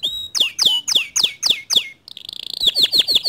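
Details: Canary song to spur a quiet canary to sing: a row of loud downward-sweeping chips, a brief gap, then a fast buzzy trill followed by more sweeping notes.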